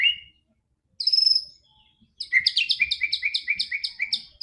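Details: White-rumped shama song used as a lure to get a quiet bird to sing quickly: high whistled notes, a pause, then a fast run of repeated sharp chirping notes with a faint low rumble underneath.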